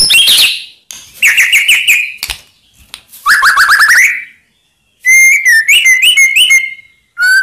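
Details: White-rumped shama song played to provoke rival birds into answering: loud whistled phrases, rapid descending trills, and a sustained wavering whistle near the end, separated by short silences.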